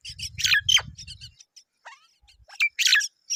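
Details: Both myna parents come to feed their babies; the young give rasping, squawky bursts and thin downslurred chirps, clustered at the start and again near the end, over a low rumble.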